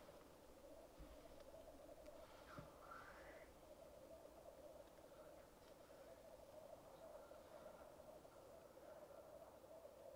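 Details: Black grouse at the lek, recorded with a Rode Videomic Go, keep up a constant low bubbling, broken early on by a harsh rising hissed whoosh and a few sharp clicks.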